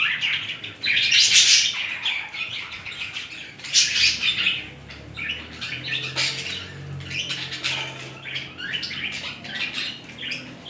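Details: Budgerigars mating, a pair showing courtship behaviour: a steady, scratchy, high warble broken by two louder bursts near the start, with quick chirps and squawks throughout.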